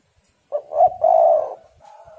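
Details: Single coo phrase from a female spotted dove in heat, meant to lure males: a quick stutter and rising note, a long hoarse coo, then a softer, steady trailing note.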